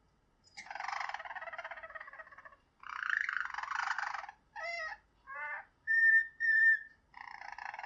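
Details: A Harzer Roller ("flute") canary (Serinus canaria domestica) sings with closed beak: soft rolling tours, then bubbling trills and pure flute-like whistled notes, a song that can run several minutes.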